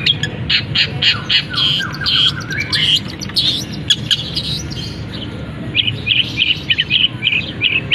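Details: Caged long-tailed shrike singing a mimicry song with canary elements, shifting between rapid buzzy trills and clear whistled slurs, ending in a series of short repeated chirps.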